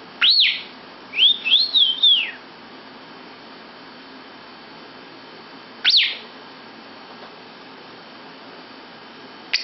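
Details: Lovebird indoors in a bedroom, opening with a sharp chirp, then a run of wavering arched whistles, a lone chirp several seconds later and another at the end, high and piercing over low hiss.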